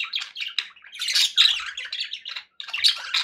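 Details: Happy budgerigar sounds from pets: quick scratchy chirps and squeaky warbles in short phrases, a louder burst in the middle, a brief silence, then chatter resumes.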